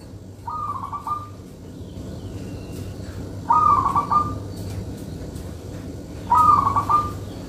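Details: Local zebra dove, valued as a lure bird, singing three clipped, bubbly cooing phrases, the first softer, the next two louder and evenly spaced, with a low steady hum behind them.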